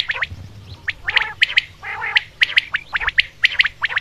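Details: Common quail giving sharp, liquid whistled notes in quick clusters of two or three, roughly once a second, with overlapping calls suggesting several birds.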